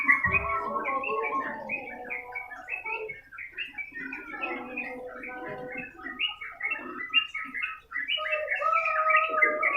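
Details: Long continuous song of a Sooty-headed bulbul, or trucukan, used as tutor audio: a dull thump at the start, then a fast chain of short chirping, whistled notes and lower warbles that keeps going, fading slightly midway before strengthening.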